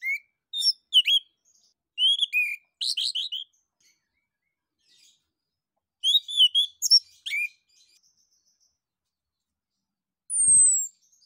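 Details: Orange-headed thrush (anis kembang) singing in ngeplong style to prompt other birds. Two long bursts of rich, varied whistled and chirped phrases are separated by a pause, and a single long falling whistle comes near the end.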